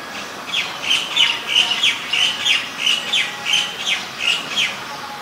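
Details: Asian koel giving a shrill series of short, sharp notes repeated at an even pace, about one and a half per second, over a steady hiss of background noise.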